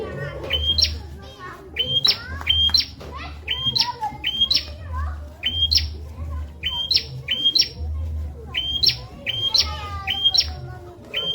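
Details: Bar-winged prinia song used as a tutor recording for magpie robins and leafbirds: loud, sharp rising whistled notes, each ending in a high upward flick, repeated roughly every second over a steady low hum.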